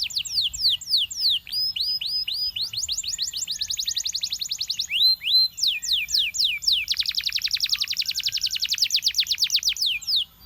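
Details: High, fast canary song of the Belgian singing type, sung to attract other canaries: rapid downward-slurred notes build into long bright rolls, with a brief gap of separate whistles between them.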